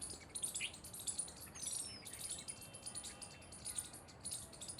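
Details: A group of jungle babblers (Argya striata) keeps up a fast, overlapping chatter of high, squeaky contact chirps, with one thin descending whistle partway through.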